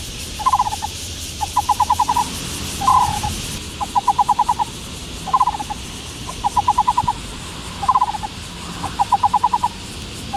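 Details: Black-browed barbet from Taiwan repeating low, resonant pulsed phrases, short paired notes alternating with longer runs of six or so beats, about nine groups in ten seconds, over a steady hiss.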